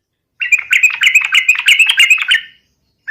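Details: Yellow-vented bulbul in energetic 'garuda' style song, used as a lure for other bulbuls. One continuous two-second stream of rapid, liquid, slurred notes, with the next phrase just beginning at the end.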